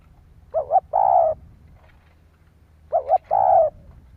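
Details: Spotted dove cooing to stimulate other doves: two phrases about two and a half seconds apart, each a wavering double note followed by a long, mellow, husky coo.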